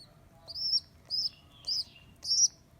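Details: Abandoned baby rock pigeon, rescued from a rooftop, day two: four drawn-out piercing squeaks, each rising then falling slightly, spaced about half a second apart over a faint low hum.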